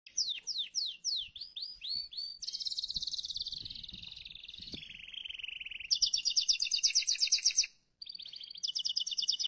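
A canary sings a rapid, varied song: repeated downslurred whistles, then buzzy trills and rattling rolls that change every second or two.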